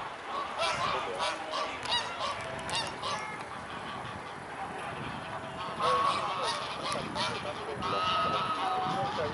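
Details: Several mute swans at the Blaues Wunder, Dresden, on 14 October 2017 at 14:00, giving a fast jumble of rough honks and brief tonal notes, with one clearer drawn-out call late on, over background rumble.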